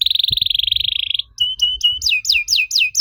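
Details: Canary song used as a lure to make young canaries answer: a long, fast buzzy trill on one high pitch, then a short steady whistle and a series of quick, repeated downslurred high notes.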